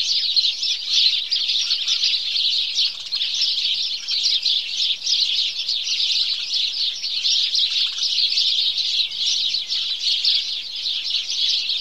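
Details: Flock of house sparrows giving their morning chorus: continuous busy chirping from many birds at once, a constant bright twittering texture lasting the whole stretch.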